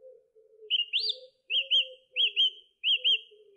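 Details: A song thrush repeats one clear, looping whistled phrase four times in a row, each about two-thirds of a second apart, over a soft low hum.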